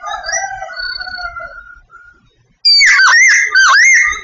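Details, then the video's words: Vietnamese Sooty babbler song: soft, level whistled notes drifting downward, a short silence, then a sudden loud burst of rich swooping whistles with deep dips in pitch. "Singing Sooty babbler . The best bird song."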